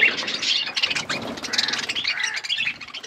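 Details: Wild parrots giving a rapid tangle of piercing chirps and harsh squawks, steady and noisy throughout this short stretch.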